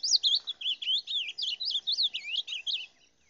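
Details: Rufous-bellied thrush in song, delivering a fast continuous stream of rich, looping whistled notes that rise and fall, about a dozen phrases in three seconds, fading out at the end; quiet background.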